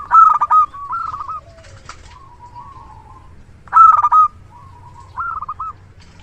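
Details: Zebra dove of a local strain, a prolific lure singer, gives staccato coo phrases: a loud clipped burst, then lower soft rolling notes, and repeats the pattern after a pause, with faint wingbeat-like rustles.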